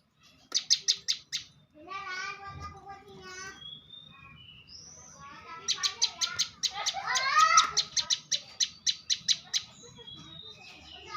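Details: Bar-winged prinia, champion-class, sings rapid series of high, dry ticking notes, one short run and then a long run, mixed with harmonic calls and a brief human voice.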